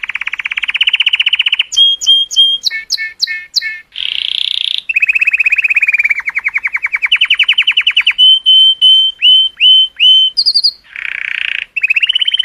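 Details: Varied canary song to stimulate females, from a Color Canary. Long even trills alternate with clipped paired notes, a buzzy wash and a run of about five short ringing whistles, ending with further trills.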